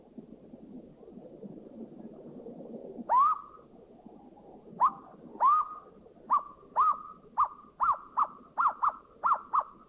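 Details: Asian barred owlet in Thailand giving its trill: whistled notes that bend upward and then hold level, starting spaced and speeding into a fast regular series, over a low background hiss.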